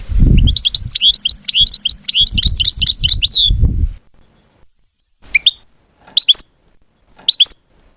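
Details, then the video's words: European goldfinch held by bird keepers, singing a fast liquid twitter of rising and falling notes for about four seconds over low knocking sounds, followed by three brief separated chirp bursts. "طائر الحسون من أجمل الطيور وأنداها صوتاً"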